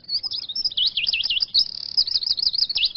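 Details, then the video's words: A Eurasian siskin twitters without pause, a fast, high, warbling run of wavering notes and quick trills, with nothing else heard behind it. "iskete finch sound effect"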